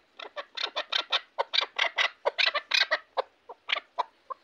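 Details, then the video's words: Chukar partridge from Shahritus, kept for hunting, calling a quick run of rough, throaty chuk notes about four to five per second, tapering off at the end, with a quiet background. "Кабки Шаҳритус"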